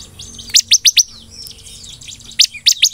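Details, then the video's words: Energetic ciblek (bar-winged prinia) singing a golden-grasshopper imitation: a quick run of four high, clipped chirps, a pause, then another run of four, with soft background twittering. "BURUNG CIBLEK GACOR NEMBAK BELALANG EMAS"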